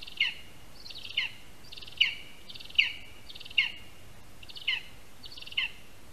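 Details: Lesser spotted eagle, Latvia, at a nest in a spruce on 22 August 2021 at 1:38 PM, bringing a rat as first prey and handing it over on the tree; a series of ringing yelps about once per second over a low background rumble.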